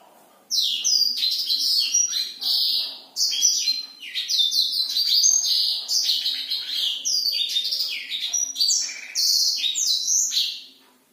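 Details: Black-throated canary singing vigorously at night, a recording meant to rouse silent, young or low-drive birds: a long, fast, unbroken warble of high sliding notes and trills, with a brief break near three seconds.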